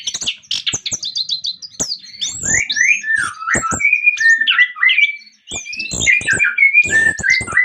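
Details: Orange-headed thrush in full, lively song used to lure other orange-headed thrushes into singing: rapid varied phrases of clear whistles, rising and falling slurred notes, and interspersed sharp clicks and chattering notes, delivered almost without pause.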